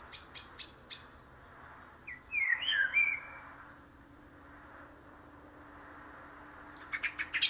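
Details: Karatavuk or common blackbird: quick high chips, then a tumbling warbled phrase, a thin high whistle, quiet, and more rapid chirps closing out, over a steady low hum.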